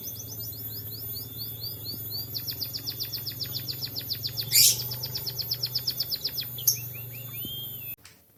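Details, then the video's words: White-headed munia trained to sing like a canary: spaced down-slurred chips speeding into a rapid high trill, broken by a loud noisy burst, over a steady low hum. "burung emprit kaji isian kenari"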